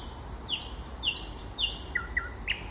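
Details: Common nightingale in spring delivering quick falling whistles three times in a row, then two lower chirps and a final sharp note, with quiet low background noise.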